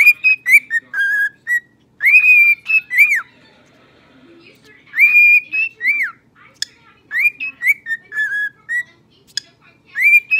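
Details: Pet male cockatiel whistling a learned human tune, September by Earth, Wind and Fire, while his brother dances along; bright whistled phrases in bursts with short pauses, rising and falling slurred notes, scattered sharp clicks.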